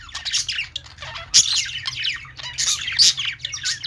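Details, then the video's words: Busy pet-store chorus of budgerigars: rapid high chirps and scratchy squawks tumble over each other, with a few louder sharp notes and an underlying mechanical hum. "budgies singing | parakeet chirping sounds in pet store"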